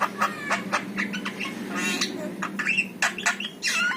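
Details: Yellow-eyed jalak kebo, a Javan myna, singing for use in prompting a pet myna to sing. Dense, raspy squawks and nasal chatter mixed with brief whistled notes, over a constant low background hum.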